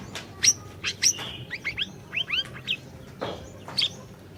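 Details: Energetic orange-bellied leafbird singing, a lure to get a quiet bird singing: rapid mix of sharp high chips and a run of short rising-falling arched whistles, ending with a harsh burst and piercing notes.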